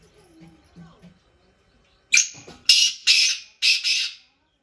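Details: Black francolin in village fields in Pakistan, preceded by faint low murmuring. Then it gives a burst of four or five loud, rasping, scratchy notes in quick succession, each note short and coarse.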